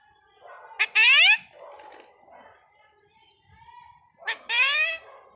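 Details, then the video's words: Alexandrine parakeet talking in Hindi, "Mummy": two loud, raspy, rising harmonic calls roughly three and a half seconds apart, with quieter chattering notes between them, indoors. "Alexander Parrot talking Mummy || Alexander Parrot talking in Hindi"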